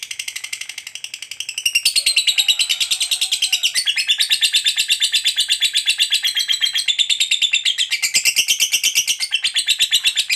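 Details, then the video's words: Lovebird's prolonged 'ngekek panjang' chatter, a fighter-type song used to coax other lovebirds into singing. Softer chips give way after two seconds to a loud, continuous, buzzy rattle of rapid high notes lasting over eight seconds. "SUARA BURUNG LOVEBIRD NGEKEK PANJANG TERAMPUH BUAT PANCINGAN LOVEBIRD AGAR CEPAT NGEKEK GACOR"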